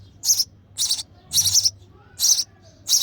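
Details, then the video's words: Begging chirps from a baby sparrow fed by its mother in the nest: five loud, rasping, high bursts, some doubled, spaced about half a second apart. "Hungry Baby Sparrow: Sparrow Mother Feeding Their Chick in The Nest With Baby Sparrow Chirping Sound"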